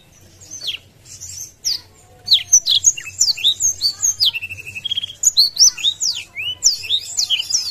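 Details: Blackthroat singing hard in a cage, wings spread, meant to provoke opponents: a quiet start, then a long rapid stream of high sweeping whistles, chirps and short trills delivered almost without a break.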